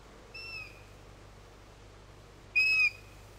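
Song thrush giving two clear, steady whistled notes about two seconds apart, the second much louder than the first, over a faint background hiss.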